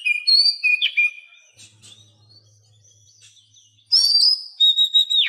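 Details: Oriental magpie-robin song used to prompt quiet captive birds: a long steady whistle with a sharp flourish, a quiet gap with low hum, then loud, bright, rising whistled notes.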